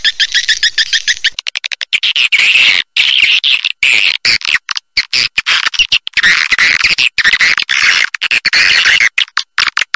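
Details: Swiftlet call meant to lure birds to stay and nest, long stretches of dense shrill twittering, rapid stuttering pulses at the start, chopped by abrupt short silences.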